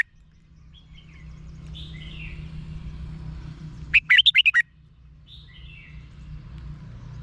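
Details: Red-whiskered bulbul from Thailand, song played to rouse caged birds: one quick phrase of five or six loud whistled notes in the middle, softer slurred calls before and after, over a constant low hum.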